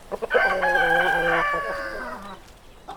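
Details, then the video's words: Single rooster crow: a loud, rich cock-a-doodle-doo held for over a second, then trailing off with a falling end. "Roosters Crowing"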